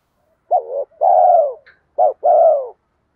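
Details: Lure call of a spotted dove in a bronze-toned voice, meant to draw wild spotted doves in fast: two paired phrases, each a brief clipped coo and then a long, smooth, gently descending coo, clear against a quiet background.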